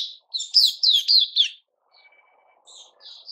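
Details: White-crowned shama kept in a cage during its moult, 6 September 2021. It gives one fast burst of clear whistled notes lasting about a second, then near quiet with faint soft notes.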